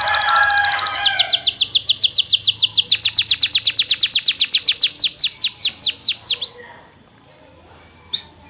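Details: Canary rolling song, used to trigger quiet canaries into answering: a warbled opening, then a long accelerating-then-slowing series of sharp falling notes, a pause, and one final whistled note.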